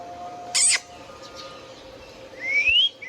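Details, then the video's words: Indian ringneck parakeet kept as a pet: one harsh, broadband squawk, a long pause, then a single clear whistle sweeping upward. A faint hum runs underneath throughout. "Indian Ringneck parrot natural sounds | Ringneck parakeets sounds video"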